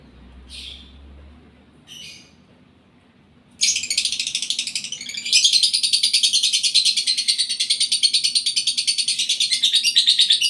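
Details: Lovebird in breeding condition: two short high chirps early on, then from about three and a half seconds a continuous, dense, shrill chattering trill, pulsing rapidly and steadily until the end.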